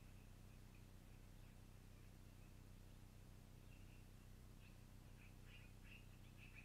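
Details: At a long-eared owl nest in the evening of 12-04-2018, thin squeaky calls come sparsely at first, then grow louder and closer together toward the end, with a steady low electrical hum underneath.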